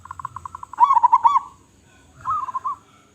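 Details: Strong-voiced local zebra dove: a string of quick short notes leading into a loud, bubbling, rolling coo, followed after a pause by a softer warbled coo. Little else is heard.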